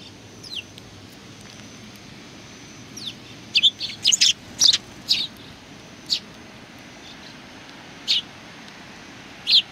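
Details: Sparrows welcoming someone on 27 July 2020: a lively burst of clustered sharp high chirps in the middle, then single chirps spaced about two seconds apart, over low steady noise.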